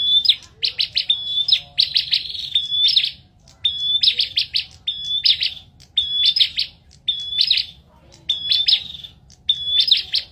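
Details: Bar-winged prinia singing: a thin level whistle followed by a burst of rapid buzzy ticking notes, phrases repeated about every second with short pauses, loud and clear over a faint low rumble.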